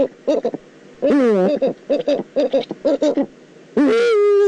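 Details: Eurasian eagle-owl in the Eifel, recorded 9 September 2014: a run of short nasal, harmonic notes, then longer wavering drawn-out calls. One ends in a sustained level cry. Loud and close.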